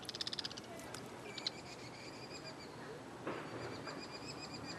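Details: Bull-headed shrike (Lanius bucephalus) parent calling loudly on Namsan in summer, luring the last chick left alone in the nest to fledge: a quick burst of harsh, rasping notes, then a thin, high, repeated call over soft background noise.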